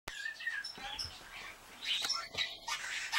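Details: A male pet budgerigar talks to impress a female: a fast, scratchy warble of whistles, clicks and speech-like mumbles, imitating other budgies, starlings, and grey parrots' whistling and water-gurgling sounds, with bright rising and falling chirps.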